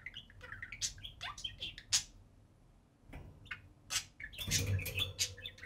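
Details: Pet budgie pair playing on top of the cage in the house: scattered clicks, chirps and harsh squawks, a brief quiet gap, then a noisy tumble of chatter with a low thud.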